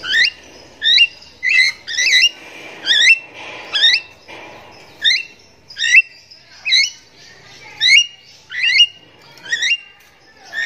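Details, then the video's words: Vigorous gacor morning song of a Javan myna: a steady run of squawky, upslurred whistles repeated about every second, loud and insistent throughout. "JALAK KEBO GACOR PAGI HARI"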